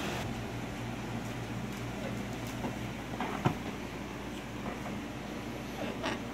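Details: Steady rumbling, vehicle-like noise with a low hum, faint muffled voices and scattered sharp clicks, one louder knock near the middle; no animal call stands out.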